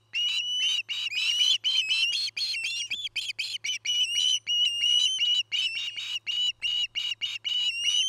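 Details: Nest-camera recording of an osprey pair building their nest in Charlo, Montana, 09-08-2018: long, urgent run of shrill whistled chirps, some sliding upward, delivered quickly and unevenly for eight seconds.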